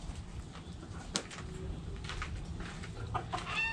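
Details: Backyard chickens, hens and roosters kept together: short harmonic clucks come in loose clusters, with a sharp click near the start, a rising note near the end, and a steady low rumble underneath throughout.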